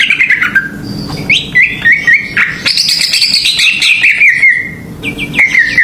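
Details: Lure song of a greater green leafbird, meant to provoke other birds: a varied run of clear slurred whistles, some falling, interwoven with brief raspy notes and buzzy trills.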